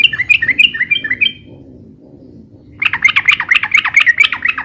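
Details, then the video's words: Yellow-vented bulbul in busy, rapid, long song used for luring and tutoring birds; a run of bubbly, warbled notes, a short pause, then a denser rapid burst of rollicking phrases. "SUARA BURUNG TRUCUKAN RIBUT"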